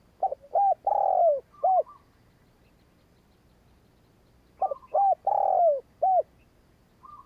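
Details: A decoy spotted dove, used to lure wild doves, gives its soft, hooting coo phrase twice: a short series of mellow notes ending in a drawn-out one.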